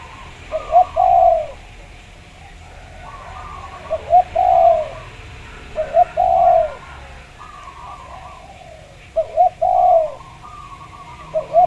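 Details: Local Javanese zebra dove lure recording, meant to set other doves singing. Repeated quiet, low cooing phrases about every three seconds, each two short notes and a longer soft coo, over faint background hiss.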